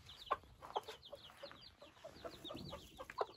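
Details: Newborn Silkie chicks venturing outdoors for the first time: soft distant high cheeps in a steady stream, overlaid with sharp close pecking taps and low muffled clucks.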